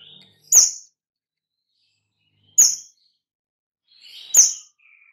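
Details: White-rumped shama lure call, used to attract other shamas and make them sing sooner. Three separate sharp, high whistled notes, each starting with a snapping click, spaced about two seconds apart.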